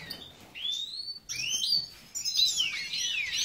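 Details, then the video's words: Captive European goldfinch of the major form (Carduelis carduelis major) at a breeding aviary in Ioannina, Greece, giving bright, high twittering phrases: sharp rising slurred notes, then a tumbling run of liquid upswept and downswept tweets. "Εκτροφή Καρδερίνας - Carduelis carduelis major breeding"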